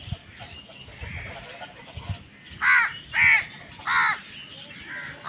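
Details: After a quiet start, a crow gives three loud, rough caws in quick succession, then a weaker one, from crows contesting food.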